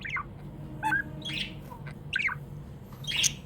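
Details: Happy pet budgerigar making scattered harsh squawks and quick chirps, a few notes spaced across three seconds above a steady low hum.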